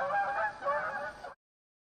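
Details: Canada geese (outardes) at Lac Goulet near a chalet; just over one second of overlapping nasal honks from several birds before the sound cuts off abruptly.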